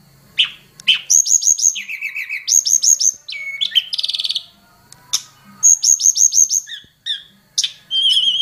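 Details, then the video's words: Hill prinia lure call used for tutoring songbirds: rapid runs of high, sharp chirps and ringing repeated notes in bursts, with brief buzzy trills and short pauses between phrases, steady and clear throughout. "Suara Pikat Burung Tledekan Gunung Untuk Masteran"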